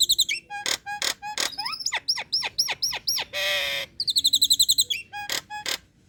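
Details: Female Nias hill myna in breeding condition calling males, kept as a lure. A loud, varied series of clear whistles, sharp rising and falling notes, one drawn-out rasp and quick bursts of repeated high notes.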